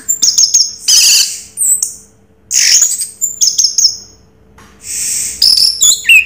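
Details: Raja Teler singing by an orange-headed thrush, made of harsh, noisy high bursts and short sharp ticking notes with quiet gaps between phrases, over a steady low hum.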